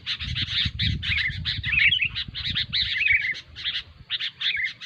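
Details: Sooty-headed bulbuls, noisy calls used as a lure recording for trapping: rapid bubbly chattering notes in quick phrases, several birds overlapping, with brief pauses, over low rumbling background noise.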